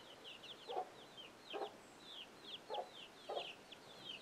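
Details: Chicken sounding an alert to young chicks, which scramble; short low clucks repeat every half to one second beneath a steady stream of high, falling chick peeps.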